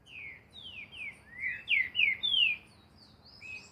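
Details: Green-winged saltator recorded singing in nature for training: a rapid series of rich, downward-sliding whistles that grow louder, then upswept notes, with faint high chirps from other birds behind.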